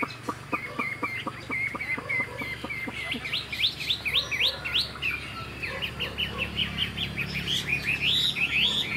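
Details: Young caged Chinese hwamei from this year, tail-flicking as it sings. It opens with a fast series of short ticking notes, then moves into quick repeated upswept whistles and varied phrases over a low hum.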